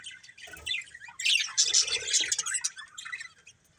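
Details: Budgerigars from a colourful breeding pair start with soft scattered chirps, then break into a loud, fast run of squeaky twitters and scratchy notes that fades out at the end.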